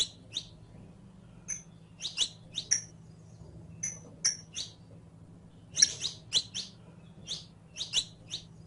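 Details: Saffron finch, kept as a captive songbird, with a recording used to teach it to sing: scattered sharp high chirps and short notes in loose bursts, over a low steady hum.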